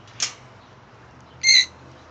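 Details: A 9-month-old Meyer's parrot, raised around sun conures, gives one loud, harsh, even-pitched squawk imitating a sun conure's call, preceded by a brief click in a quiet room.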